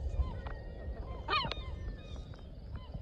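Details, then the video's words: Female herring gull nesting by a shed on an island bird sanctuary, eggs not yet hatched, scolds an intruder with one loud, harsh, nasal squawk midway, fainter gull calls around it, over low wind rumble. "Herring gull talking smack"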